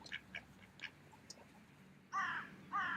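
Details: Mallard ducks feeding in a park in autumn: soft, faint notes at first, then two loud, rasping quacks near the end.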